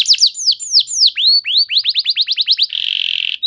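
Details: Canary singing to prompt other canaries to respond and sing: high descending whistled notes, then quickening upward slurs in a steady run, ending in a dense buzzy trill and a brief note.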